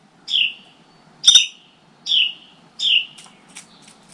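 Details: Adult Carolina wrens give alarm notes near their nest of chicks in a motorcycle helmet inside a tent, with crows active outside: four harsh, buzzy, falling rasps about one per second, with short sharp ticks between them.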